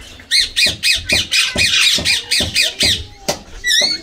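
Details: Indian green ringneck parakeet, a tame pet bathing in water, screeching loudly in a steady string of about twelve harsh, rasping squawks, ending with a sharper wavering shriek.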